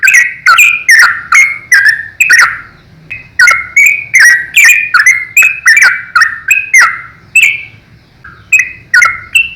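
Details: Yellow-vented bulbul in lively 'ropel' song, meant for tutoring young bulbuls: nearly ten seconds of loud, sharp chirps tumbling out over two per second, each with a falling slur, broken by two short gaps.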